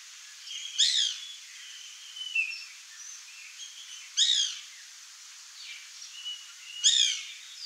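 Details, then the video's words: White woodpecker (Melanerpes candidus), locally pica-pau-branco, birro or cri-cri: three loud, harsh, rasping call notes about three seconds apart, with faint thin whistles from other birds between them. "WHITE WOODPECKER (MELANERPES CANDIDUS), PICA-PAU-BRANCO, BIRRO, CRI-CRI"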